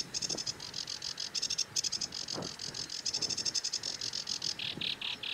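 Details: Sedge warbler song of fast, harsh rattles and scratchy churring phrases running almost without a break, ending in a few rougher buzzes, with faint low calls in the background.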